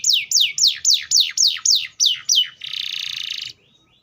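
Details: Singing Atlantic canary delivers eight sharp, descending whistled slurs at an even quick pace, followed by a sustained harsh, buzzy rolling trill lasting about a second, then quiet.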